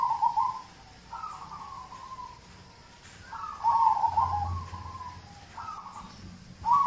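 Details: Zebra dove of local stock, with its song played to prompt other cage birds to sing: mellow trilled coos, each phrase slightly falling, with a long, louder rolling phrase midway and another beginning at the close.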